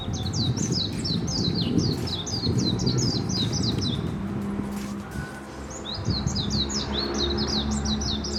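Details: Warbling White-eye on a riverside walk, calling in two busy bouts of sharp, high, slurred chirps, rapid and uneven, separated by a brief pause, with low murmuring background noise.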